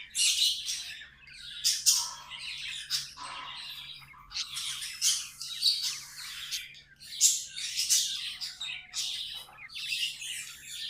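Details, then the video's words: Pet budgies in song: rapid strings of buzzy, chattering notes and sharp clicks in uneven bursts throughout, with a faint electrical hum underneath. "Budgies amazing love & singing 🎵 sounds"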